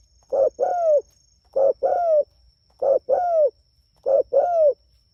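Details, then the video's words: Rhythmic cooing from a spotted dove calling its companions: four two-note units, a clipped coo followed by a drawn-out, slightly descending one, spaced about every one and a quarter seconds. "Suara Burung Tekukur Gacor Memanggil Temanya"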